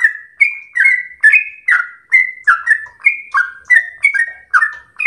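Yellow-vented bulbul chattering in a quick run of bubbly, slurred mid-pitched notes, about two phrases a second, with no other sounds.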